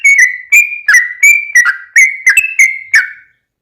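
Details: Sooty-headed bulbul singing, used to coax other bulbuls to sing: about nine crisp whistled notes, level or gently falling, spaced roughly every third of a second.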